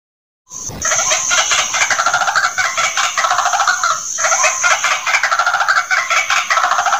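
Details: White-breasted waterhen giving a dense, fast stream of harsh, pulsed calling notes that run on almost without pause for several seconds, with a steady high whine in the background.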